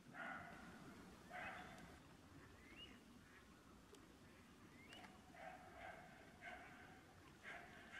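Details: Falcated ducks (Mareca falcata) at a pond in December 2015 give nasal, quack-like calls about once a second, with a couple of short rising whistles between them, over a steady low rumble.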